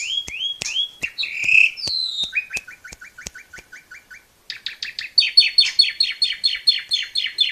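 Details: Asian pied starling (jalak suren) in continuous tutor song for training young birds: varied whistles and a slurred buzzy note, then a fast series of clipped chips, a brief gap, and a loud rapid stream of high buzzy notes.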